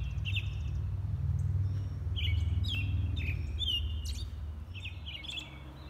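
An American robin sings short, clear whistled phrases in quick bursts, some rising and some falling, over a steady low rumble like distant traffic or wind.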